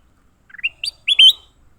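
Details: Fighting leafbird gives a quick stepped run of rising notes, then two bright, slurred high chirps in close succession against a quiet background.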